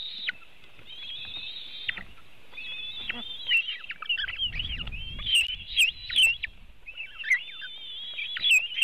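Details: Webcam recording from a white-tailed eagle nest in Latvia, 24 June 2018, mid-afternoon feeding of eaglets after a big fish arrives: long thin drawn whistles, then choppy high yelping notes repeated about every two to three seconds.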